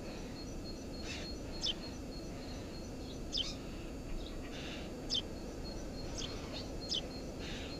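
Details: Eurasian tree sparrow at a nest under a house roof, recorded 4 June 2017: short high chirps at irregular intervals, some doubled, roughly every second or two, over steady low rumbling background noise.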